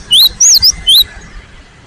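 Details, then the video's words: Three quick, bright whistled notes from a cinereous tit (gelatik batu), each bending upward and falling away, fading into faint background noise. "GELATIK BATU GACOR ?? SUARA BURUNG GELATIK AMPUH NGOTOT emosi"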